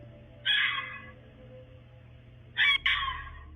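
Two harsh, hissing screams from a Barn Owl, each about half a second long and two seconds apart, over a faint low hum.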